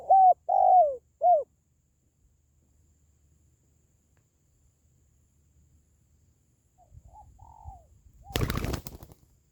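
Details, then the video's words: Spotted dove call used to boost pet doves or lure wild ones: three soft, low, hollow coos in quick succession, followed by long quiet, faint rustling and a brief loud burst of harsh noise near the end. "SUARA PANGGILAN BURUNG TERKUKUR"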